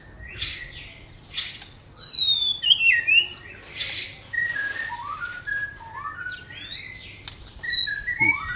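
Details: White-rumped shama singing: clear whistled phrases sliding downward in stepped slurs, mixed with brief sharp broadband chips and a thin steady high tone in the background.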